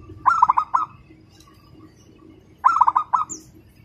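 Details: Local zebra dove, a competition prospect, delivering fast, tight song compared to a sewing machine: two phrases of quick stuttering coos about 2.4 seconds apart, a high chirp after the second, light low hum.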